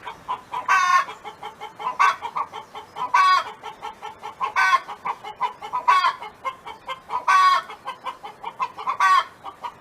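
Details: Domestic hen singing at a farm, loud drawn harmonic squawks about every 1.3 seconds, seven in all, over a steady bed of soft, quick clucks.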